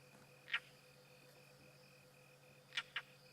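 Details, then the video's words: On a sunset safari drive on 14 March 2017, a European roller gives a strange call that sounds like a vervet monkey alarm: three short, harsh, chattering notes, one alone, then a quick pair two seconds later, over a pulsing insect trill and a low hum. "It is a European roller giving off a strange call. Have a listen to this."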